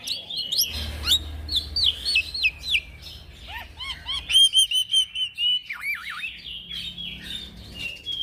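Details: Energetic song of a young black-winged myna, the 'gacor ngeroll' style used to train and lure birds: looping whistled phrases, rising and falling glides, a run of bright repeated high notes, then descending whistles; a soft low hum persists.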